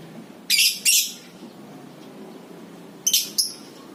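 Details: Lovebird calling in the ngekek style, from a lure recording: two pairs of harsh, high, scratchy shrieks, one pair early and one near the end, with a quiet stretch between and only low background hiss.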